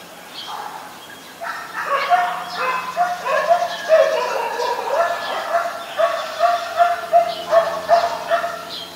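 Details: Common myna recorded in Ubon Ratchathani, Thailand, on 15 March 2021 with a Nikon P1000: harsh, nasal notes repeated in an uneven series, growing louder and more rhythmic toward the end, with a steady low hum behind.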